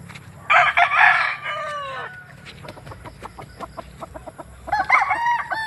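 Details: Roosters crowing: a loud harsh crow with a falling, drawn-out ending, followed by a run of short clucking notes, then another crow starting near the end, partly cut off.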